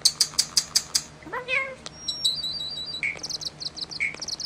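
Common starling song: a rapid burst of dry clicks, a rising cat-like mew, then thin high whistles and buzzy rattles in a jumbled medley.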